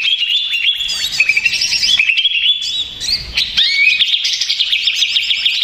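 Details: A stressed greater green leafbird (cucak ijo), used as a provocation recording to make other leafbirds answer, pours out a continuous, agitated stream of high whistles, chirps and rapid trills with no pauses, loud and busy throughout.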